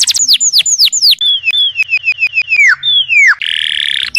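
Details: Canary master song used to train other songbirds: a run of loud downward-slurred whistles, then a fast series of sharp clipped notes, a falling whistle, and a dense, buzzy high trill at the end.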